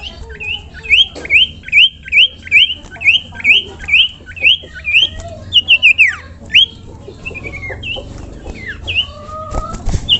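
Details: Common iora song used as a master recording for training other birds: a run of loud, clear whistled notes, each sharply rising then falling, repeated about every third of a second, later looser whistles and scattered notes, with low background hum.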